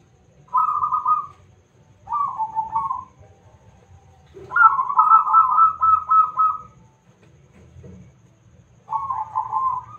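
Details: A strong-voiced local zebra dove, used to lure other birds into singing, repeats clear trilled cooing phrases, four bursts in ten seconds, the third long and rolling, against quiet background.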